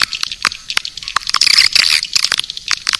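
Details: Swiftlet calling sound, known as Naga Birahi, made to attract swiftlets: dense high twittering and buzzy chirps with sharp clicking bursts, swelling into a thick chorus midway.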